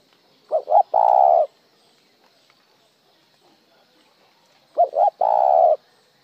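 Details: Spotted dove cooing, sometimes with a single tail note and sometimes plain. Two matching phrases a few seconds apart, each a quick stuttered double note leading into a long, steady, hollow coo. Background otherwise quiet.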